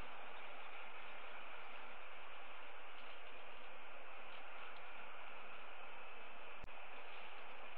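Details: Steady broadband hiss like a camera feed's static, broken only by a single sharp click, with no animal calls heard.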